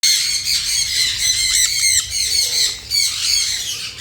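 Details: A parrot gives harsh, grating squawks in a dense run of overlapping screeches, some with quick rising and falling inflections, and no clear words are heard.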